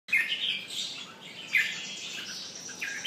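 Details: Red-whiskered bulbul (jambul) pumping and singing: short bright chirped notes around the upper-middle range, a strong opening burst, another at about 1.5 seconds and a rising note at the end, over quiet background.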